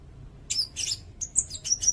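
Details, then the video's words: Brief run of sirindet song, a tutor recording for cage songbirds: quick, very high twittering notes mixing buzzy chirps and thin whistled pips in a busy two-second sequence. "Suara burung sirindet"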